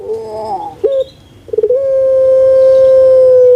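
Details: Large-bodied puter pelung spotted dove, a booming-voiced pet bird: a wavering opening phrase, a brief clipped note, a stutter of quick pulses, then a sustained loud even tone to the end.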